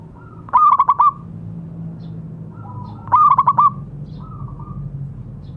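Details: Singing local zebra dove used as training material for silent doves: two crisp bursts of rapid, evenly spaced hollow coos about two and a half seconds apart, faint cooing and a low hum beneath.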